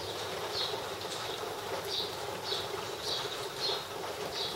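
A wagtail gives short, high chirping notes, repeated roughly every half second, over the steady hiss of falling rain.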